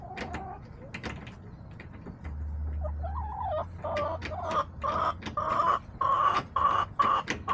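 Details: A backyard hen on October 10, 2024, clucking in an escalating series. The notes rise into louder, higher calls repeated about twice a second, with a low hum and sharp clicks in the background.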